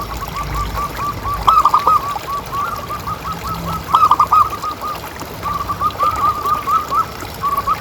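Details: Local zebra dove with a big voice, used as a calling lure for other doves: faint runs of rapid soft notes broken by two louder cooing phrases, over a steady low background rumble.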